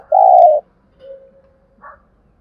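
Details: Spotted dove used as a lure to excite wild doves. A single loud, low, steady coo lasting half a second, followed by a faint soft hum and a short weak note.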